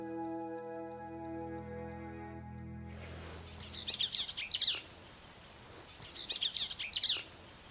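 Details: Arizona Bell's Vireo nesting on the upper Gila River, New Mexico, gives two quick, scratchy, chattering phrases about two seconds apart, after a few seconds of soft instrumental music.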